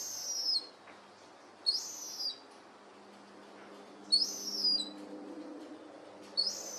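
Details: Fledged herring gull juveniles playing in a garden; high, thin, squeaky whistles in short doubled bursts, recurring about every two seconds over a soft background drone.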